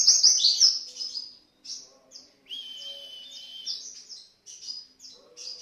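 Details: Javan white-eye in lively 'gacor' song used as a 'pancingan' lure recording: high, thin chirps and twittering trills in short bursts separated by brief pauses, with one longer sustained whistled phrase midway; a faint low hum underneath.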